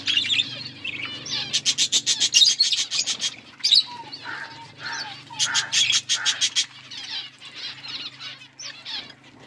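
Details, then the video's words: Budgerigar flock at food, rapid trains of clicking chirps and scratchy warbles, a few low whistled notes mid-clip, quieter chatter toward the end over a faint low hum. "Beautiful budgies flocks birds eating food"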